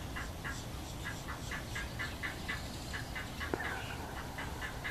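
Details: A cattle egret with chicks gives a steady run of harsh, nasal notes, about four per second, over a low background rumble, with one sharp knock near the end.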